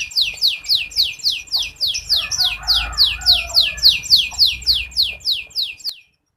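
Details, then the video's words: Local red canary in full continuous song, used as a tutor and prompt for young birds: a steady roll of high, downward-sweeping notes, about three per second, ending abruptly after six seconds. "Kicauan Burung Kenari MerLok || Kenari Merah Lokal"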